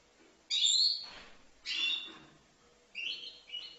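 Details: Young European goldfinch aged five months, Livno: a few loud, high, harsh chirping notes with slurred tails, separated by short pauses, ending in two quicker twittered notes.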